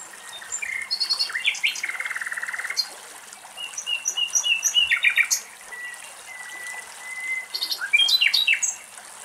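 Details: A common nightingale sings in the wetland of Axios Delta National Park, Thessaloniki, Greece, with loud, varied phrases of rapid buzzy trills, sharp chips and drawn-out pure whistles over a faint wash of water.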